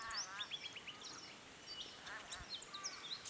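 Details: Jacky winter at a nest in Canberra, 13 November, giving quick, high, chirpy notes and short sweet whistles in loose bursts, with other faint twitters and a soft background hiss.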